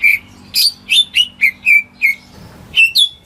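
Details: Home-kept greater green leafbird singing to coax reluctant birds into song; a series of short clear whistles and downslurred chirps spaced roughly a third of a second apart, with a brief pause before two final rising notes.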